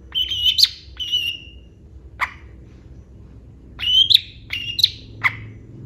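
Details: A Long-tailed shrike sings with imitated phrases: a few pure whistled notes, some with sharp upward flicks, spaced by pauses, plus isolated short clicking sounds, over a quiet low hum.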